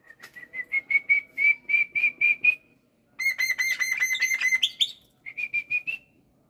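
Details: A kept black-winged myna sings in the morning: a steady series of slightly rising whistled notes about three per second, then a dense, loud pulsed phrase sweeping upward, and a short closing run of whistles.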